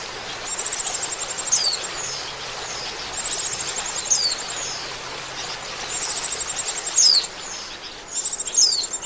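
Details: Oriental white-eye sound used to lure birds into traps: bursts of high pulsed trills about every two seconds, each ending in a bright falling whistled note.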